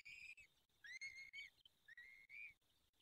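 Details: Peregrine falcon at the nest during the fifth feeding, Barycz Valley, Poland, 23 April 2020, 19:28: three long whistled calls, the middle one rising sharply at the start, over a faint hiss.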